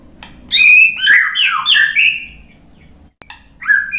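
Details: Murai batu, the white-rumped shama, answering a lure recording with rich whistled phrases that slide and overlap, a loud warbled run followed by a pause and a brief further note; faint low hum underneath.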